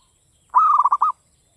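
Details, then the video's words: Crisp-voiced local zebra dove from Java singing classic Mataram song: an even cooing note, then a quick string of rolling pulses ending on a longer note. "PERKUTUT LOKAL GACOR cuman hitungan menit nyaut SUARA GARING"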